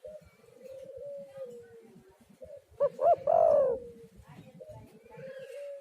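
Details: Spotted dove used as a lure call to make doves sing: gentle sliding coos, then a loud burst of two short hoots and a longer arched coo, ending in a soft trailing coo over faint background noise.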